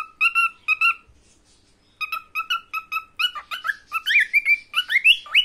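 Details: A young male cockatiel about a year old, finding his voice, whistles his favourite tunes: clear, repeated notes breaking into rising, warbling phrases.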